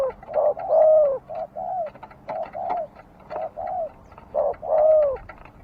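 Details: Rhythmic dove cooing in short-long note pairs, mid-pitched and gently downslurred, repeated roughly once a second with a few louder emphasized coos.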